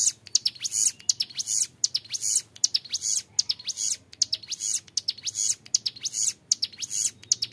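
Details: Bar-winged Prinia, a young bird singing the long 'ngebren' style for tutoring: rapid runs of high buzzy chips and sweeping squeaks, phrases repeating roughly every second over a quiet background.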